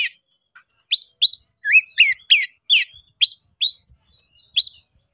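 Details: Agitated Oriental magpie-robin of the konslet style calling a rival: spaced, ringing upslurred whistles with a few lower swooping notes, repeated with irregular gaps.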